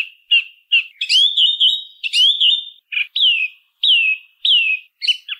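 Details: Song thrush delivering loud, clear whistled phrases, some drawn out and wavering, others short and falling. Each is separated by brief pauses, with a few sharp high overtones. No background noise.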